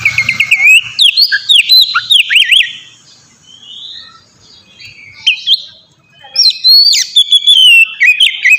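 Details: Oriental magpie-robin in full ngeplong song, offered as a lure for young birds: bursts of sharp whistled trills and upslurred notes, a pause of faint softer notes midway, then another bright whistled phrase.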